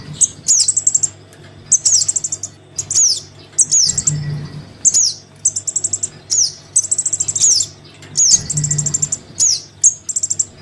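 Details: Chick of the crimson sunbird calling its parent, played to attract sunbirds that will not descend: shrill high buzzy trills and swooping downslurred notes repeated in bursts, with a low electrical-sounding hum.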